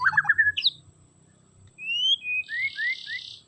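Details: White-rumped shama singing, used to excite a shama that sings poorly: opening rapid jumbled chirps, a pause, then bright rising whistles and a harsh hissing rattle.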